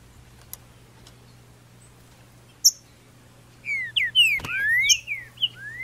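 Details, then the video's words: Green-winged saltator singing in the woods after moult, May 2019, during outdoor song training; a short run of clear whistled slurs, rising and falling, over steady low hum, with a sharp click and a few high chips. "TRINCA FERRO BOLSONARO NO MATO"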